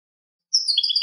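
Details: Clean European goldfinch song, a rapid run of high tinkling twitters and trills, delivered in one continuous burst against silence.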